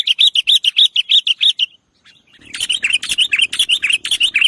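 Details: Sooty-headed bulbul luring audio in 'nggaruda' style: a rapid series of clear, evenly spaced whistled chirps, about five per second, then a short pause and a denser, harsher burst of chattering notes over a faint low hum.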